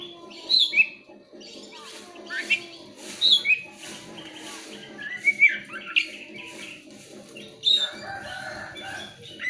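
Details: Oriental magpie-robin (kacer) used as a lure to make other birds sing: short sharp whistled phrases every second or two over a steady low hum.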